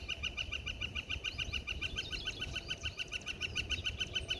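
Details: A Pileated Woodpecker singing and drumming on top of a metal light post in an office parking lot in Ottawa, giving a steady run of loud, ringing notes, three or four each second, over a low rumble.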